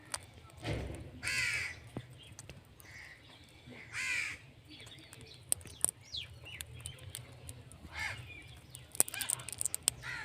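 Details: Indian ringneck parrot repeating rasping, grating screeches at uneven intervals, with a low thump near the start and scattered clicks and rustles.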